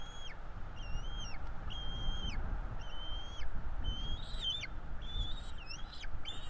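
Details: Bald eagle nestlings in Florida calling during feeding: evenly spaced long flat whistles, then a run of more excited, wavering and overlapping notes, over low background rumble.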